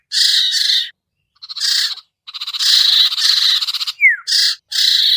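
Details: Common iora (sirtu) luring call for birds that are hard to bring down: a series of raspy, buzzing bursts with pauses and one quick falling slurred note near the end.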